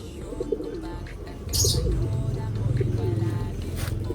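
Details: Racing pigeon cooing: soft, low, wavering notes in short repeated phrases. A steady low rumble and brief bursts of hiss accompany them.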